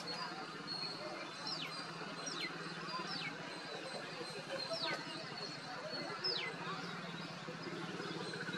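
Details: Yellow-throated bulbul (Pycnonotus xantholaemus) in forest at Hampi, Karnataka, India, November 2023, giving thin, falling whistled notes, five in about seven seconds, over a steady hiss of background noise.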